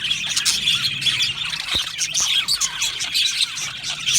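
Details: Budgerigars in an aviary, busy high chirping with a few clear whistled notes poking through, plus two faint clicks.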